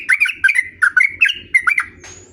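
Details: Sooty-headed bulbul in lively long rolling song used as a lure to draw other bulbuls into singing back: a rapid string of bubbly, warbled notes, rising and falling, in short bursts about every quarter second.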